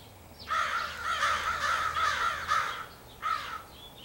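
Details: Crowd of crows calling on 4 April 2015, possibly choosing mates; a fast run of harsh caws blending into a continuous burst, then a short pause and one final caw.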